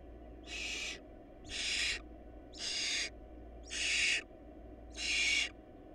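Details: Barn owls at a nest where the family is short of food, giving harsh, breathy hissing bursts of about half a second, five in a row roughly once per second, over a steady low hum.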